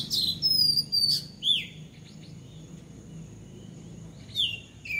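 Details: Bulbul calling from a house roof: a few sharp chirps and downward-slurred whistled notes in the first second and a half, then near silence before two more slurred chirps near the end, with faint high thin tones throughout.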